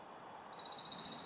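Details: Western Bonelli's warbler singing: a brief, dry trill of about eight rapid, high-pitched notes, lasting under a second, over soft background hiss.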